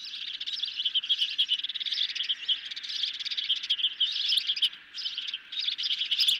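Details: Ospreys feeding on a medium-sized fish at the nest at night, July 2021: an almost continuous, fast stream of shrill chirps and piping notes, dipping briefly near the end, with light hiss behind.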